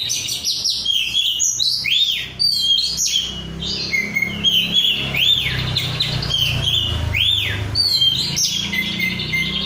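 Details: Oriental magpie-robin (kacer), an untrained bahan bird in vigorous gacor song: loud, varied phrases of sharp whistles, rising-falling arched notes and rapid chattering trills in quick succession, with a faint low hum beneath.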